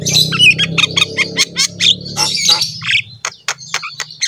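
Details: Javan myna in vigorous song for training caged mynas: thick, scratchy chattering with brief whistled notes, then spaced sharp clicks, with a low droning hum underneath.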